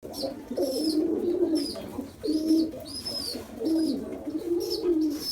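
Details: A hungry pigeon chick begs after a big feed, giving thin, high squeaks about once a second over a steady low, wheezy warbling, indoors.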